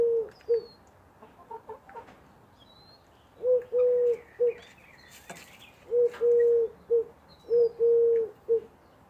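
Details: A persistent Eurasian collared dove, the woohoo bird, coos on and on. Its deep three-syllable phrases have a long middle note, and they pick up after a brief lull. Scattered thin chirps come from other birds.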